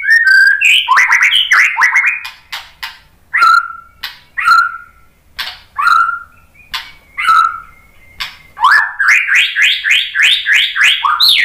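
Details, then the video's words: White-rumped shama song used to lure birds to sing back: fast warbled opening, then evenly spaced loud whistled notes with clicks about every second, a thin steady whistle, and a closing rapid rising series of notes. "OCEHAN MURAI BATU memancing BUNYI jadi NYAUT GACOR NGEPLONG"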